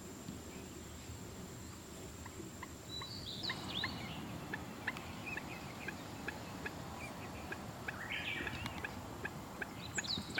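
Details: Common moorhen (Gallinula chloropus), chick call.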